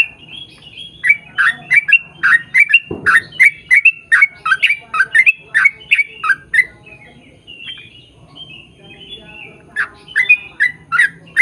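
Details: Long rapid 'ropel' song of a Yellow-vented bulbul, meant to coax others of its kind into singing: dense run of liquid, chuckling notes, with a brief sharp knock early on, a short quieter gap, then the bubbling resumes.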